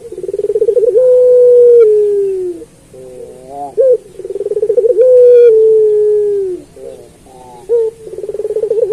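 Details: Puter pelung turtle dove singing, a recording meant for training other pelung doves; long, low, warbling coos with a quavering start and a drawn-out falling note, separated by short stuttering trills, phrases repeating roughly every four seconds.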